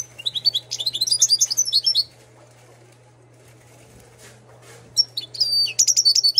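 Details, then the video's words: A Moroccan goldfinch bred in 2022 sings a two-second stream of quick, rolling, metallic twitters, falls silent, then resumes with sharp, buzzy, tinkling notes; a low hum sits in the background. "طائر الحسون انتاج 2022 ماشالله صوته جميل حسون مغربي"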